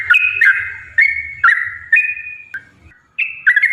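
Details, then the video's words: Yellow-vented bulbul with constant bubbling song, used to spur other bulbuls to sing: short gurgling whistled phrases about every half second, then a brief pause, over a faint low hum. "trucukan gacor TARUNG ROPEL PANJANG pancingan trucukan agar bunyi"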